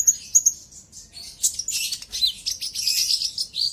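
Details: Lure song of a sunbird (konin), meant to provoke a rival. Two or three thin piercing tweets open a dense, rapid, jumbled high twitter that continues almost without a break.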